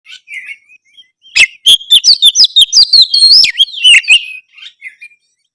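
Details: White-rumped shama singing to make a reluctant shama respond: soft warbled notes, then a loud rapid run of sharp clicks and high whistled phrases rising and falling, ending in quieter twitters.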